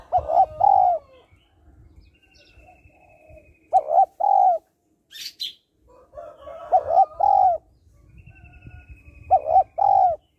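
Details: Spotted dove female calling to stimulate males: four loud two-part coos, each a short note then a long falling one, spread across the stretch, with softer coos, low rumbling and a brief high burst between.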